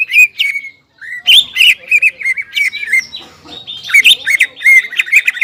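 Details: Greater green leafbird singing hard, the varied song used as therapy for stressed leafbirds that stopped singing: a short whistle, a brief gap, then dense bursts of chattering, whistled notes and harsh sweeps.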